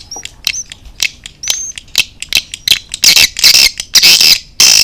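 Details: Chinese-style swiftlet response call: a few thin whistled notes, then loud high chattering chirps that grow denser and louder toward the end.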